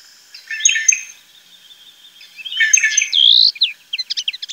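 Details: A European goldfinch in the Manchegan plain near Tablas de Daimiel and Villarrubia sings a rapid, tinkling jumble of high twittering notes, with a buzzy rising phrase and a quick run of chips at the end.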